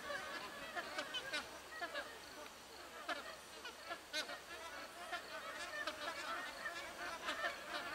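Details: Magpie geese perched in trees, a flock calling together in a continuous overlapping chatter of short nasal notes, with a few louder honks standing out every second or so.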